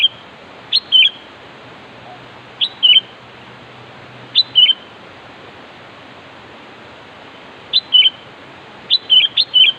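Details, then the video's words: Sooty-headed bulbul calling out a rival: short bright whistled phrases, each a quick rising note and a liquid falling slur, repeated at irregular gaps of one to three seconds. They bunch into rapid doubled calls at the end, with faint hiss throughout. "Suara Burung Kutilang Memanggil Cocok Untuk Menarik lawan"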